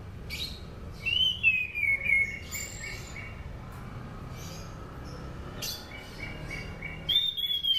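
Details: Sunda pied fantail singing, used as training lure: high whistled notes sliding downward around one to two seconds, sparse faint high notes, a renewed whistled phrase near the end, over constant low background noise.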